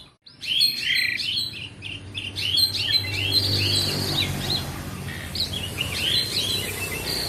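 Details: Asian pied starling in nonstop song: rapid series of chirps and looping whistled notes, several per second, over a steady low background hum.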